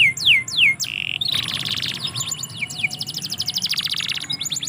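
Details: Canary song from a yard: three quick falling whistles, a short buzz, then a long pulsing trill and a rapid series of high sweeping notes.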